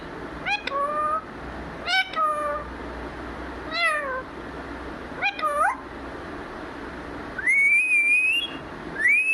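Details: Talking parrot, "mithu mithu" given as its words: a run of short voiced, wavering phrases every second or two, ending in two longer, higher, rising drawn-out notes, indoors with faint hum.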